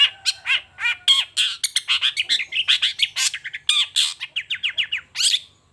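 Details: Morning song of a long-tailed shrike showing off its repertoire: a fast, continuous jumble of scratchy chatters, short whistles and rasping notes, changing every fraction of a second with no pause.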